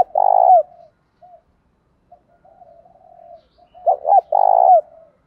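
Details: Spotted dove song in the Vietnamese thổ pha đồng voice style, used for training birds: low hoarse coos in short bursts, a loud opening phrase, quieter murmuring, then a two-part loud coo ending.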